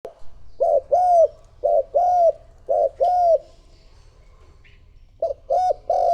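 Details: Spotted dove used as a lure to call in other doves, cooing in low, rounded, slightly rising-then-falling notes in short groups of two or three, with pauses between phrases and a quiet background.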